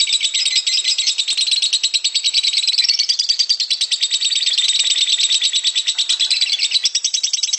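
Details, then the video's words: Long, coarse ngekek chatter from a lovebird, shrill buzzy pulses rattling out several per second in one unbroken stream. "Suara Burung lovebird ngekek kasar dan panjang"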